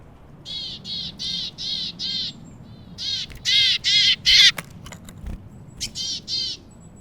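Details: Willow tit visiting a feeder, giving a run of harsh, nasal, buzzy notes. Five even notes come at a steady pace, then a louder group of three, and a few more after a pause. Scattered clicks are heard.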